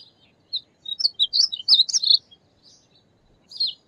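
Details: High tumbling warble of a painted bunting, a rapid jumble of bright slurred notes in one burst, then a single closing phrase after a pause.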